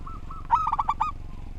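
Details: Local zebra dove (perkutut), an active singer with an orderly song, meant for tutoring birds. A single half-second burst of five quick, bubbling coos follows a soft lead-in note. A low hum sounds in the background.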